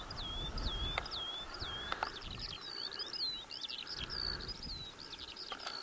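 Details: Eurasian skylark singing at Adderstonlee near Hawick: a continuous high warbling stream of quick whistled slurs and trills, with faint steady low rumble of wind or distant traffic underneath.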